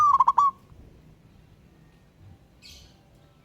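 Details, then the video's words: Zebra dove from the wild, calling to a rival: a brief stuttering coo phrase of quick repeated notes, a soft distant chirp, and the next phrase just starting at the end. "Burung Perkutut LOKAL Alam Ngayer Memanggil Lawan Ikutan Manggung Gacor"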